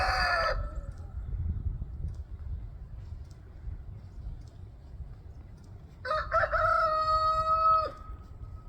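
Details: Roosters in a crowing competition, taking turns: a short crow tail at the start, quiet low rumble, then a full drawn-out crow with a rising start and long level held note before dropping off.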